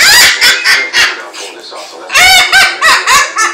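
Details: Cockatoo giving a so-called evil laugh, loud harsh honking bursts repeated about four times a second, a brief softer rasping stretch, then another run of strident cackling notes.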